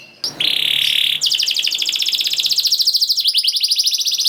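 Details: Canary song used as a prompt for non-singing canaries: a steady high buzzing tone followed by a long rapid rattling trill, with faint hiss behind.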